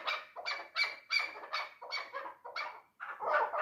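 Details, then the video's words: Three-year-old chukar partridge kept for hunting calls in rough, raspy chuck notes repeated roughly every third of a second, a steady run of eight or nine notes, close and clear, with a brief pause near the end. "Кабки дулан"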